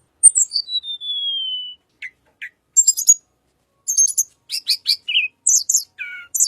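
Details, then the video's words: Little pied flycatcher song of the kind used to lure white-rumped shama. It opens with a long, thin whistle sliding slowly downward, then brief pauses. Clusters of high, scratchy chirps follow, ending in a few lower buzzy notes. No background sounds. "BURUNG TLEDEKAN SUARA UNIK"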